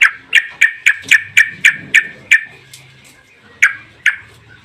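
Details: Yellow-vented bulbul in long rapid 'ropel' song, used as a lure to make other bulbuls sing: sharp chirped notes repeated about four per second, a pause, then two more notes, over a faint low hum.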